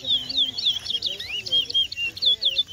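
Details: Lesser seed finch, known locally as towa towa, singing in a bird race singing competition at Berbice, Guyana, in 2021. Its rapid, high, sweet warbled phrases run continuously while a man counts the songs aloud nearby.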